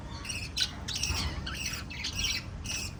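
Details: Five lovebirds in a parrot family group chirping: harsh, buzzy squawks and chirps in short uneven bursts, several overlapping, over a steady low background hum.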